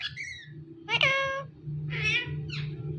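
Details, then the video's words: Talking parrot giving three or four drawn-out, harmonic, voice-like cries over three seconds, one sharp and bright, others more nasal, over a steady low hum in the room. "Talking Parrot"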